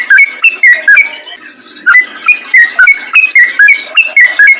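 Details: Yellow-vented bulbul singing a rapid, chattering 'ropel' forest-style song used as a lure for other bulbuls: short bright notes, each flicking up or down, in quick bursts with a brief pause near the middle.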